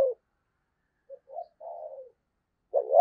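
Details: Lure spotted dove with a thunder-voiced coo used to attract wild doves: soft, low, breathy coo notes rising into a longer falling coo, ending with the start of a louder hoot.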